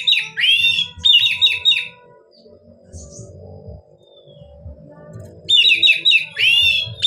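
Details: Oriental magpie-robin in relaxed ngeplong style, a song meant to stir reluctant magpie-robins to sing: a fast run of sharp whistled notes and a looping slurred phrase opens and closes the stretch, with quiet murmur between.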